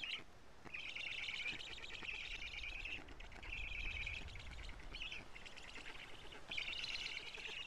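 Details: Black stork nest in Karula, Estonia, on a live camera, 14 June 2017 near 17:55, during a feeding of big fish. Several drawn-out, reedy buzzing calls with short gaps sit over a low rumbling background.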